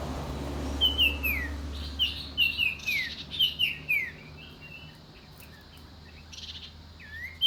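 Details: Common iora uttering a string of high, sharply descending notes, loosely repeated about once a second for four seconds. A quieter pause follows, then one final falling note, with faint low hum behind.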